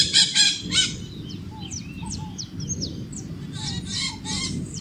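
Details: Maritaca parrots calling: grating, raspy bursts open and close the recording, while short rising whistled notes scatter through the quieter middle against low background noise.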